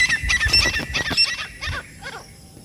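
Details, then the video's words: Partridge calling: loud, harsh, rapid notes with rich overtones in a quick burst that fades after about two seconds, over low rural background noise. "तीतर ना आने वाला बेस्ट आवाज। The best sound of the partridge not coming | partridge voice"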